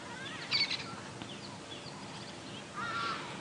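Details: Distant Hadeda Ibis at sunrise on Oct 26, 2016, in Djuma Game Reserve, South African bush near lions feeding on a carcass, giving harsh, nasal honking calls: a brief burst near the start and a drawn-out one at the end, over a quiet outdoor background.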